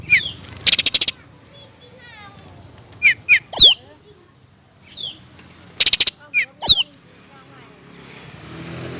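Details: Cucak rante, male and female, used for luring: stuttered buzzy bursts alternate with high falling whistles and quick flicked chirps in two similar phrases, with a low rumble behind.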